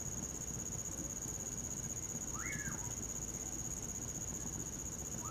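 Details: A common pauraque (amanhã-eu-vou) sings on a winter night by a fire with one upslurred, then downslurred whistle. Another note begins at the close. A steady cricket trill and low fire crackle sit underneath.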